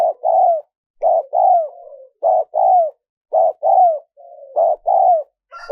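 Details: Cooing of a spotted dove used as a lure for wild doves: low, throaty grouped coos, a short note followed by a longer slurred falling one, with soft trailing murmurs between phrases, repeated roughly every second.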